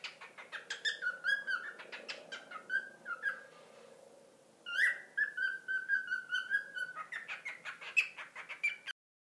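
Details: A pet male cockatiel, nearly two years old, gives rapid, harmonic chirps and drawn-out, gently falling whistles in two bursts, separated by a brief quiet pause.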